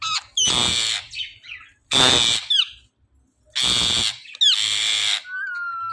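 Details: Two pet parrots in conversation: harsh, broadband squawks come in loud bursts about every one and a half seconds, with short sliding whistled notes between them.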